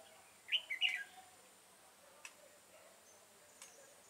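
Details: Red-whiskered bulbul, a 'mặt quỷ' bird, recorded during trapping with a decoy bird on 22 September 2018: one short warbled phrase of three or four quick slurred notes, brief and clear, over a quiet background with a faint steady hiss and a few soft clicks.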